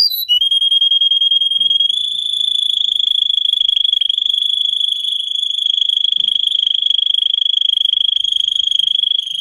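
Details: Russian canary bred for singing, song for training other canaries: one long, even, high rolling trill of very fast pulses held steadily throughout, slightly rising after its start.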